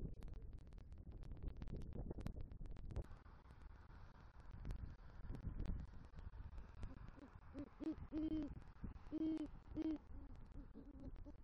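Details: Nighttime hooting of a male great horned owl at a nest in southwest Florida, November, after bringing a rodent and calling for his mate; noisy start, then a run of low hoots with three loud ones near the end.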